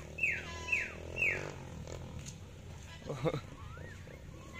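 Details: Sulphur-crested cockatoos, a male and female living free and playing in a residential housing complex, give three quick, falling, slightly harsh calls about half a second apart, then a rough burst and softer warbling notes over background murmur.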